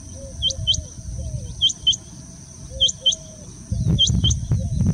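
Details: A rain quail in Hubli, India, gives its mating call: sharp, high, doubled notes sweeping upward, one pair about every second, over a steady insect-like whine and low rumbling noise.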